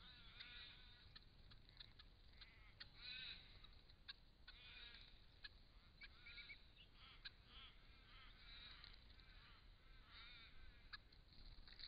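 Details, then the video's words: Wild Crested Shrike-tit filmed by camera trap in regional Victoria, Australia, while drinking and calling: a run of harsh, chuckling chatter notes in close, overlapping bursts, over a low background hum. "Crested Shrike-tit drinking and calling"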